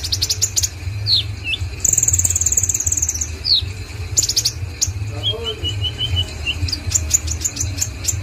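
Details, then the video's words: A konin in full song: quick high chip series, downward-sliding whistles, a buzzy trill and a run of evenly spaced notes, over a constant low droning hum and faint voices. "BURUNG KONIN OKEPUNYA NIH GACORNYA"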